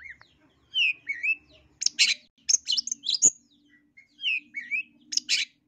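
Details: Long-tailed shrike, East Java type, on a tutor track to make birds sing aggressively: a slower passage of sweet, slurred whistled phrases alternating with loud harsh rasping bursts, with a faint low hum in the background.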